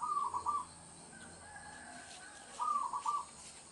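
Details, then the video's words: Local zebra dove in a rural countryside setting, recorded as a trapping lure; two short, fast, rippling cooing phrases, one at the start and one after a quiet gap of about two seconds, with faint background hiss. "PERKUTUT LOKAL GACOR UNTUK PANCINGAN SUARA PIKAT"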